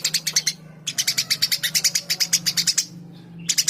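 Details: Eurasian tree sparrow singing: long runs of rapid, evenly spaced bright chirps, about six per second, broken by a short pause, with a steady low hum underneath.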